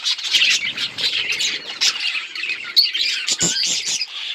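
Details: A group of budgies, recorded October 26, 2023, keeps up bright, chattering chirps. The sound rises into louder squeaky bursts near the end, with short harsh notes mixed among the warbles.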